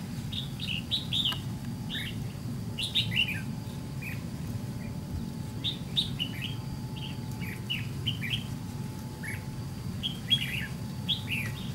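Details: White-cheeked Red-whiskered bulbul at a fight trap with a decoy bird, wild-caught: repeated clusters of quick rising and falling warbled notes every second or two, with an occasional click and a low constant rumble.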